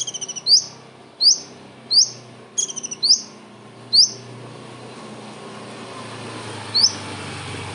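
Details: Common iora song packed with mimicked kingfisher calls, kept as tutor material for other birds. Bright rising whistled notes come roughly every 0.7 seconds, with one stuttered burst, then the bird falls quiet over a steady low hum.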